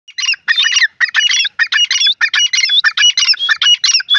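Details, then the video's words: Francolin calling in a harsh, grating series of rapid repeated notes, about one and a half per second, each a burst of scratchy, squawking syllables, delivered steadily with short pauses between and no other sounds. "teetar voice teetar ki boli"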